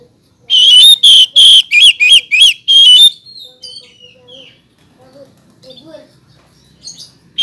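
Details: Oriental magpie-robin song: a rapid series of about eight loud, piercing whistled notes over two and a half seconds, trailing into soft, quiet warbles and short chirps.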